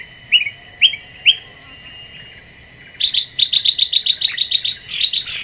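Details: Black-winged bulbul lure song: three separate bright chirps, a pause, then a rapid chattering string of about a dozen high, sharp notes.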